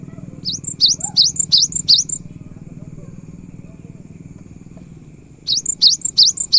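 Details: Cinereous tit singing vigorously, played to coax silent tits into song: high two-part whistled phrases that dip then rise, repeated about three times a second in two runs, over a low steady engine-like hum.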